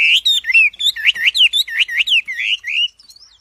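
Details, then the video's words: A wambi in full song gives a fast string of slurred, rising-and-falling whistles, bright and evenly loud, ending in a few soft, faint notes. "KICAU WAMBI GACOR"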